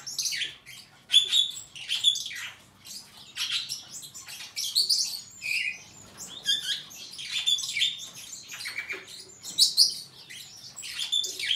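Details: Superb starling in a long stream of jumbled song: rapid scratchy chatter mixed with thin squeaky whistles, phrases tumbling one after another with short gaps.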